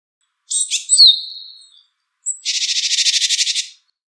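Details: Wild Japanese tit calling: a chirpy note run ending in a long thin whistle, followed by a harsh buzzy rattle of roughly a dozen rapid pulses lasting over a second; clean, quiet background.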